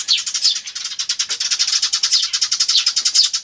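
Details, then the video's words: Tree sparrows, adults and chicks, 10 May 2013, ivis recording; adults described calling 'jyujyujyu'. A rapid buzzy stutter of high notes, about ten per second, running without pause. "スズメと雛の鳴き声(5) Sound of Tree Sparrows and chicks (5)"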